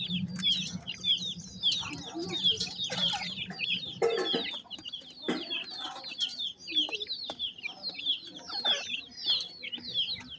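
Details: Several partridge chicks, grey francolin, feeding; dense high-pitched peeping, short down-slurred notes at roughly a hundred per minute, irregular, plus occasional scratching noises and a low hum at the start.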